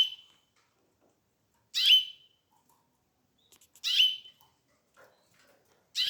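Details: Canary chicks: short, sharp, high chirps, each a quick downward-sliding burst, sounding roughly every two seconds against a quiet background.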